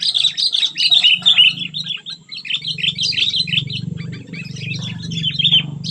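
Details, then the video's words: Cengkram-style song of a sooty-headed bulbul billed as super fierce: fast, jumbled bright notes in quick succession over a persistent low humming drone. "poin cengkram burung kutilang super ganas"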